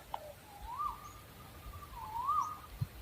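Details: {'caption': 'Owl giving two drawn-out whistled notes, each swelling upward then flattening and dipping, fairly faint above a soft low rumble of background noise.'}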